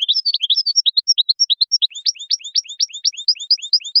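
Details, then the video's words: Goldfinch singing a continuous, rapid string of sweet, high twittered notes, shifting midway into quicker, sharper repeated chirps in a lively rhythm. "Song of the Goldfinch"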